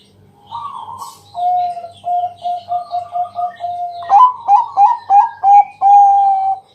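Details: Night-time lure song of a loud local zebra dove (Bangkok type), meant to coax other doves into singing. Soft coos run into quick stuttering bursts of whistled notes, about three each second. A faint low pulsing hum sits underneath.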